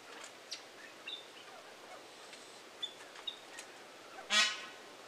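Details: A Himalayan monal (Impeyan pheasant) hen gives a few faint, scattered chirps in quiet surroundings, then one harsh, honking squawk near the end.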